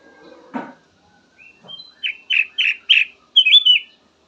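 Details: Black-naped oriole (kutilang emas) singing a varied phrase: a short rasp, then five or six quick, full, slightly buzzy whistled notes in a steady run ending in a slurred flourish.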